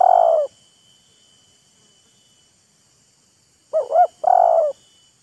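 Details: Spotted dove, decoy and wild bird showing off and courting in turn: a long throaty coo opens, followed by a long silence, then a quick double hooked note and a drawn-out rolling coo.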